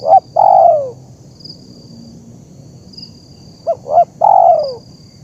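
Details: Zebra dove calls for training and luring wild birds: a short note and a long falling coo, a silent gap, then two quick rising notes and another drawn-out descending coo, with a faint steady high tone.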